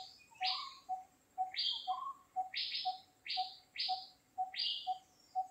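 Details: A Dark-fronted babbler, apparently foraging for food, gives sharp, high notes that sweep downward, repeated about once a second, over a steady, even ticking in the background.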